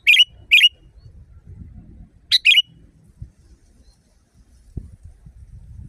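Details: Sooty-headed bulbul, loud natural voice recorded as a tutoring track for caged birds: two pairs of short, bright, slurred whistled notes, the pairs about two seconds apart, over faint low rumble.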